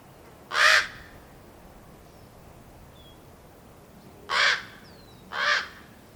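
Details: Fledgling common ravens, hatched in April 2022 and out of the nest by mid-May, waiting impatiently for their parents to feed them: three harsh, raspy caws, one early and a pair close together near the end, with faint thin bird notes between.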